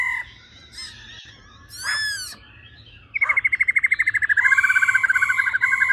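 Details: Female laughingthrush, 'ro ro' calls aimed at exciting males: soft rasps and a harsh sweeping note, then a rapid trill that merges into a steady, buzzy, pulsing phrase.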